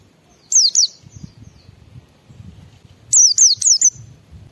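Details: White-eye song in the ngalas style, intended to set other white-eyes singing: a pair of high descending whistles, a pause, then three quick downslurred notes, with soft low background noise.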